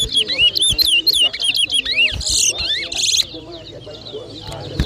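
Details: Chestnut-bellied seed finch, known locally as towa towa, competing in a 2023 whistling contest in New Amsterdam, Berbice, Guyana: quick repeated upslurred and downslurred whistles about four per second, with brief harsh bursts and a counting voice nearby.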